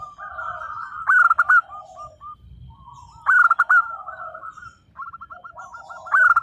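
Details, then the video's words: Local zebra dove singing actively in the 'nembak' style, meant to prompt mute doves to answer: loud harmonic bursts about every two seconds, each linked by soft rolling coo notes, with faint low rumble beneath. "perkutut lokal gacor _suara nembak perkutut lokal bisu_ 100% LANGSUNG NYAUT"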